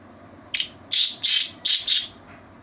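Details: Black francolin, known locally in Sindhi as kala teetar, giving a short call of five harsh, high, scratchy notes in two-note and three-note bursts, with a quiet background.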